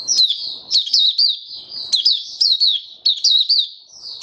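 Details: White-eye in a cage singing: bursts of high, sharp twittering notes that slur downward, repeated every half second or so, with occasional rustling and clicking from the cage.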